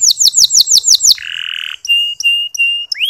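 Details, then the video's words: Local canary song played to coax other male canaries into singing: a run of quick descending sweeps, then a flat buzzy note and several sustained pure whistles ending in an upward slur. "Masteran Kenari Lokal Super Gacor"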